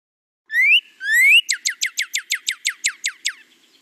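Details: Male northern cardinal singing a song in two parts: two long rising whistles, then about a dozen quick down-slurred chips that fade toward the end.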